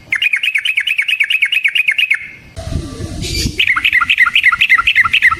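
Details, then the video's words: Long rolling ropel song of a Yellow-vented bulbul, played to make rival bulbuls answer: a fast chattering run of repeated, bouncing mid-pitched notes, interrupted by a burst of rustling noise, then resuming at the same quick pace. "Suara Burung Trucukan GACOR ROPEL Panjang Ampuh Untuk PANCINGAN TRUCUK"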